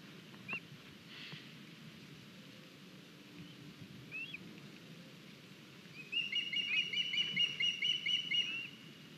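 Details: Estonian osprey nest, 9 August 2021, with a young bird just arrived carrying a large fish; a few isolated sharp notes, then a rapid run of about a dozen high, thin whistled chirps near the end over steady outdoor noise.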